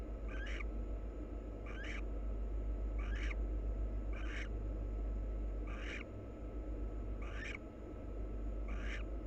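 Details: A wild pair of barn owls preen each other while short scratchy calls repeat at a regular pace, about every one and a half seconds, six in all, with a low background hum.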